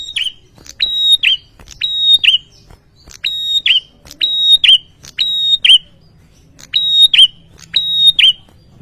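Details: A male bar-winged prinia sings insistently to make rivals respond, giving about a dozen loud clipped phrases in twos. Each phrase is a bright sustained whistle dropping at the end, repeated roughly every second, against near silence.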